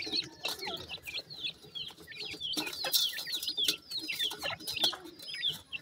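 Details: Busy chorus of feeding grey francolin chicks, with bright, high, down-slurred cheeps coming rapidly and irregularly, about one to two per second, over steady pecking and rustling.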